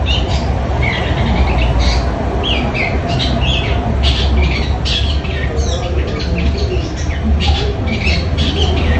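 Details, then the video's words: Long-tailed shrike in song after two days of training, a rapid series of short harsh squawky notes and slurred chirps repeated over about nine seconds, over steady low engine-like rumble and background noise. "cendet bunyi"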